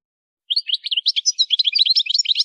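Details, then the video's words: Goldfinch singing for song training. After half a second of quiet, a lively, continuous twitter of quick high chirps, buzzy notes and short trills runs to the end. "Song Goldfinch Training Enhancing Their Musical Abilities"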